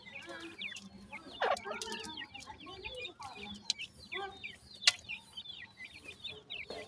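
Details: Grey francolin female with five chicks at feeding time; soft, high downslurred peeps from the chicks repeated throughout, mixed with low clucks and scattered clicks and knocks.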